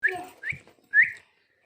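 A green parrot gives three short, rising whistled notes over about a second and a half, each with a slightly harsh, voice-like edge.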